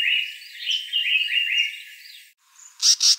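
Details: African paradise flycatcher (Terpsiphone viridis): two seconds of quick, jumbled, high chirping notes, then a brief pause and two sharp, harsh notes in quick succession, likely its loud raspy "zweet-zwayt" contact call.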